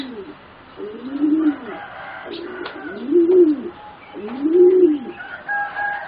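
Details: Competition-bred singing zebra dove, one of four youngsters aged about 3.5 to 4 months, coos in three rounded, swelling arched phrases, each rising then dropping away, with a faint steady tone and scattered clicks behind.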